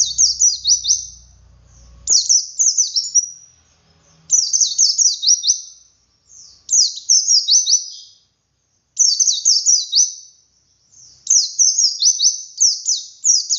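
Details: Ngalas white-eye song, dakun wit-wit variation, played to trigger captive birds to answer: six bright, high-pitched phrases of rapid descending notes, roughly every two seconds, with a soft low rumble at the start.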